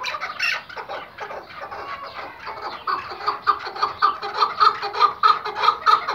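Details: An Iraqi white hunting Chukar, kept tethered, calls softly at first, then builds into louder, regular chuck-chuck notes repeated roughly every half second.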